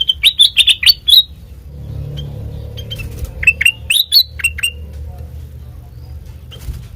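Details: Sooty-headed bulbul, a training lure for songbirds: a brisk burst of piercing chirped notes, a pause filled with low rumbling background, then another short series of clear, descending chirps.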